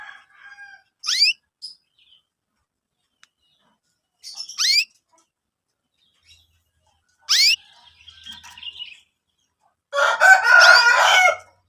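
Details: Chirps of young canaries, kept as lure material for training canaries: three quick upward-swept notes a few seconds apart, faint twitters, then a dense scratchy chattering burst at the end.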